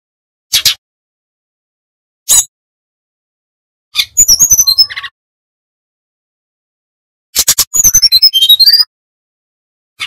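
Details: Lively Bali brown-chested jungle flycatcher: isolated sharp chips, then two rapid phrases of quickly repeated high twittering and whistled notes, each about a second long, separated by silence.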